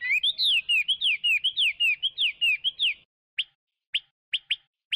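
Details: Chinese hwamei pouring out a quick run of looping, down-slurred whistles for about three seconds. It ends with five isolated, sharp, upward-flicked notes.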